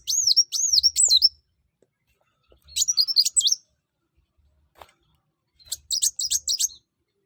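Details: Brown-throated sunbird (kolibri wulung) in full song, intended to get other birds singing: three bursts of quick, high, curving whistles about a second long, separated by pauses of a second or more.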